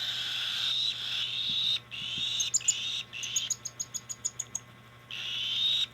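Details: Hand-fed cockatiel begging, 2025: long hoarse hissing rasps, broken mid-clip by a rapid run of about a dozen sharp clicking pulses, then rasping resumes; a low hum runs throughout.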